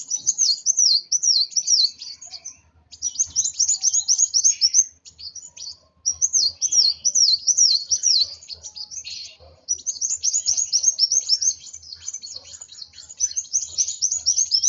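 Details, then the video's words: Kolibri wulung sunbird in an agitated state, delivering bursts of shrill, fast chirping phrases a few seconds long, separated by brief pauses. "Burung Kolibri Wulung Emosi Sampai ke Ubun Ubun.."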